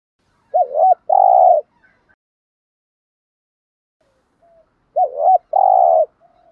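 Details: Spotted dove, male and female birds included, giving gù and thúc coos meant to rouse wild doves; a quick wavering double note then a long steady burry coo, repeated twice roughly four and a half seconds apart.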